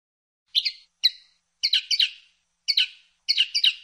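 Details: Linnet (pajarel) uttering spaced twittery phrases of two or three quick, high, slightly nasal notes, repeated in small bursts with short pauses between them.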